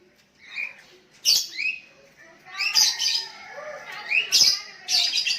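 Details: Sooty-headed bulbul calling toward a rival while others reply: quick bubbly upslurred whistles mixed with loud harsh squawks, overlapping in a busy exchange of calls.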